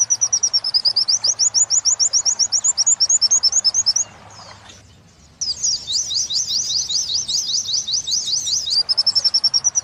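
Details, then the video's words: Wit-wit training song of an Oriental white-eye for captive birds: quick high chirps in a long regular series, a short lull, then a busy twittering run of slurred notes before the rapid chirping resumes. "Masteran pleci wit~wit sambung kunti."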